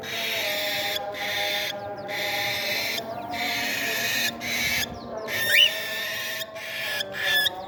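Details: Cockatiel chicks during a playful meal make repeated rough, hissing rasps broken by short silences, with a few sharp rising squeaks near the end and a quiet humming backdrop.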